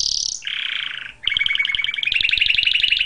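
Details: Canary song opening with a high sustained trill that drops to a lower rolling tour, followed by a rapid, evenly pulsed chattering trill that climbs slightly in pitch.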